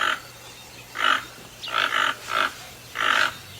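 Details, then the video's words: Toucan calling: hoarse, croaking notes given in short bursts roughly once a second over a steady background hiss. "Canto do Tucano"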